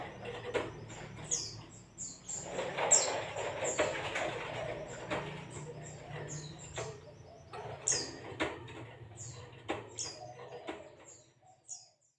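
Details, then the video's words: White-eye giving thin, high chirps in scattered bursts about once a second, over a steady low hum and rustling wing flutters; used as a lure to get other white-eyes singing. "zosterops bird sound"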